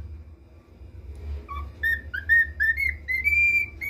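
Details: A cockatiel learning to whistle the national anthem gives clear, slurred notes stepping gradually higher over two seconds, after a quiet start, with a steady low hum behind.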